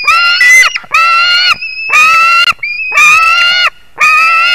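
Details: White-tailed eagle on 21 July 2019 at 22:10: five loud, rasping, harmonic screams, each near a second long, spaced by brief pauses, with a thin higher whistled tone between some calls.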